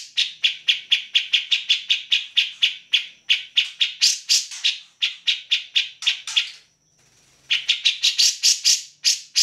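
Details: Grey-cheeked bulbul in full song, recorded for training other songbirds; fast, steady series of sharp, bright chattering notes, about four per second, broken by a brief pause with a thin sustained whistle.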